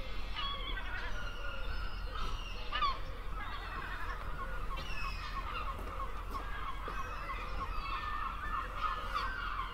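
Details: A group of gulls calling continuously: drawn-out nasal wails and sharp squawks overlap, some calls sliding downward, over a constant deep background rumble.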